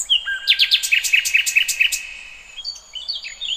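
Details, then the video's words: Wild songbird in nature giving a lively string of roughly ten sharp, evenly spaced chirps, followed by softer thin twittering from another bird. "Kicauan Burung"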